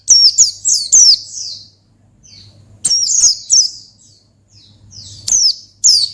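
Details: Rival-calling 'ngalas' song of a pleci (Oriental white-eye): rapid runs of three high, bright, falling whistles, a pause, then further bursts of similar sharp notes, faint humming beneath.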